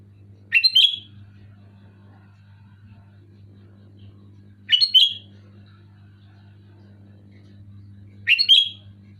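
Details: Sooty-headed bulbul singing loudly and clearly, a recording meant to get quiet kept bulbuls singing; three short bubbly whistled phrases, each rising then falling, spaced about four seconds apart over a steady low hum.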